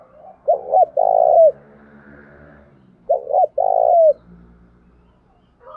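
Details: Spotted dove decoy call played in the morning to provoke males: low, soft cooing phrases, a short double note then a long drawn coo, repeated twice about two and a half seconds apart.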